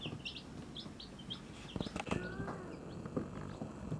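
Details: Baby chicks with their mother hen give short, high peeps, rapid and repeated in quick bursts, over low rustling and scratching with a few soft, deeper clucking sounds.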